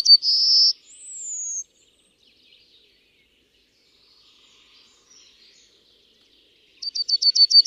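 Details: Yellowhammer song: a drawn-out buzzy note and a higher thin note sliding slightly down, then a long silence before a new run of rapid, evenly spaced short notes begins.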